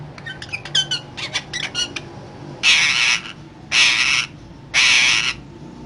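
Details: Parrot said to be talking, opening with rapid clicks and short chirps, followed by three loud, harsh, broad squawks about one second apart.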